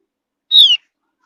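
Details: One piercing downslurred whistle from a Javan grey-throated white-eye, a high mountain forest bird whose call is used to lure other birds into song, heard against a quiet background.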